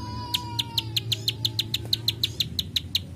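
A Plain Prinia gives a rapid, even series of dry, high clicks, about six per second, over a low steady hum.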